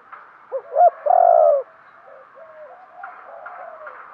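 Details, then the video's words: Caged decoy spotted dove giving its urging coo to lure wild doves: two short hollow notes, then a long, steady, slightly falling coo, delivered once. "chim cu mồi thúc gù, chim cu gáy kích bổi mới nhất, cu cườm thúc gù giọng hay"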